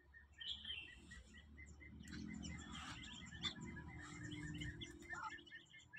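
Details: Newly hatched Muscovy ducklings from incubator-hatched eggs peep in quick, high, repeated chirps over a low background rumble.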